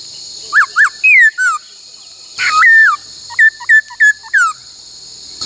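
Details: During song training, a laughingthrush sings in the 'bắt cô trói cột' style: paired looping whistles and downward slurs, a long loud note, then a quick series of short clipped whistles, over a steady high hiss.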